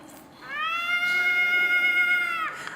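Long-eared owl giving one drawn-out, nasal, cat-like wail about two seconds long, held steady in pitch before dropping away, over faint indoor background hum.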